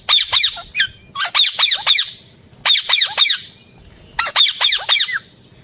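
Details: An Alexandrine parakeet gives bursts of harsh, high, squeaky notes in quick groups of four or five, about every one and a half seconds.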